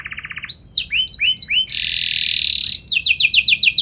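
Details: Singing canary whose special phrasing is meant to prompt other canaries to reply: a short rapid trill, then a run of rising and falling whistled swoops, a dense harsh buzzy burst, and a fast repeated chipping trill.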